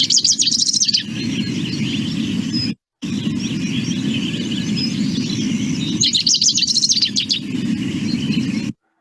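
Rufous-crowned Sparrow song: quick, jumbled bursts of high chattering and twittering notes, loudest at the start and again near the end, over a steady low rumble.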